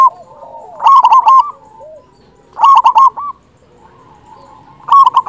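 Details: Local zebra dove with a large voice, used to lure doves and stir their breeding drive; loud rolling coo phrases every two seconds, separated by faint background cooing.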